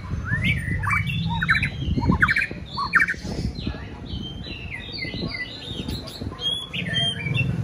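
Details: White-rumped shama rehearsing for a singing competition, giving varied whistled phrases and quick downslurred notes against a noticeable low rumbling background.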